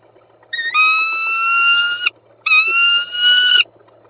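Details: Peregrine falcon visiting the nest in Słupsk, Poland, on 26 March 2022: two drawn-out, even, nasal wailing notes, each lasting over a second and slightly rising, separated by a short pause.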